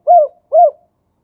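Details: Male spotted dove in the khan yon 2 kuk style giving two quick, mellow, slightly falling coos about half a second apart against silence.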